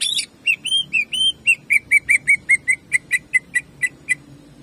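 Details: Greater green leafbird delivering jamtrok song meant to raise other birds' fighting spirit: a few rising, slurred whistles, then a long rapid string of sharp, clipped chips about four per second.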